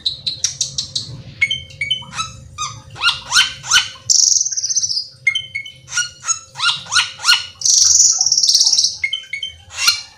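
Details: Gacor teler full isian song of cucak keling, played to get another cucak keling singing: rapid series of bright whistles, chattering bursts and two long harsh buzzing trills, with a faint low hum.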